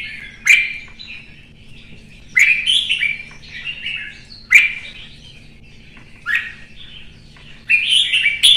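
A red-whiskered bulbul sings short, bubbly warbled phrases of rich, mid-to-high notes, repeated about every two seconds. A faint low hum sits underneath.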